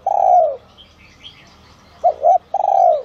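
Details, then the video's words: Calling of a spotted dove in the 'son' voice, kept to lure wild doves. A long, rough, descending coo is followed by two short coos and another long falling coo. Soft chirping from other birds comes from the distance. "Chim Cu Gáy GIỌNG SON kích bổi| | tiếng cu gáy gáy gọi , thúc kích mồi, gọi bổi đến"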